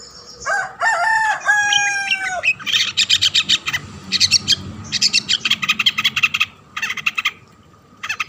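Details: Long-tailed shrike singing vigorously to get other shrikes calling: a drawn-out, wavering whistled phrase with harsh overtones, then fast chattering, clicking bursts in tight clusters, ending with a pause and one more burst.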